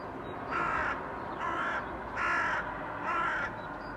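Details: Crows calling against a blue sky, recorded in 2022: four harsh, hoarse caws spaced about a second apart, each lasting roughly half a second, over a steady background hiss.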